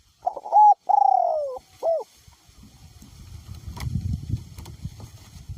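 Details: Spotted dove kept as a decoy bird, voice described as small to middle, cooing in strong wind: a short hooked coo, a long falling slurred note and a brief bent note, then steady rumbling wind noise takes over.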